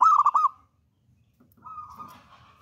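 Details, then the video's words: Zebra dove from the wild, singing actively: a brief, loud burst of four quick bubbly notes fading out, then a quieter, drawn-out trilled coo. "PERKUTUT LOKAL ALAM GACOR"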